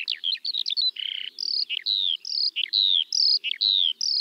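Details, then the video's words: Eurasian skylark singing, quick chirps and a brief buzz followed by a run of clear downslurred whistles repeated at a steady pace, high and bright. "Kiurun / Leivon laulua | Skylark Singing"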